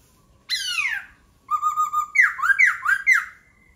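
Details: Laughingthrush in song: a strong descending slur, a steady wavering whistle, then four rapid downward-swooping whistled notes run together.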